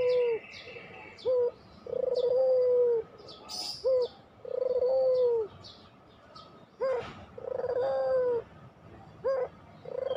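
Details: Puter pelung spotted dove used as a lure to make lazy doves sing: a run of low cooing phrases, short hooked notes alternating with long level coos with a rippling start, over scattered high chirps of other birds.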